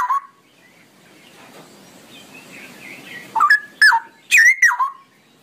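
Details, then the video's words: Straw-headed bulbul, called cucak rowo, singing long ropelan song: an opening gurgle, a lull with faint warbling, then a cluster of loud, rich, bubbling phrases sweeping downward. "suara burung cucak rowo ropelan panjang"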